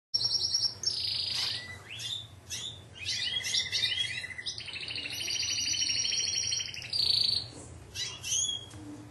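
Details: Caged Timbrado canary from a Greek Timbrado club line, 2009; varied song of metallic trills, long rolling rattles and bright whistled phrases, shifting between high and lower pitched runs, with a faint low hum beneath.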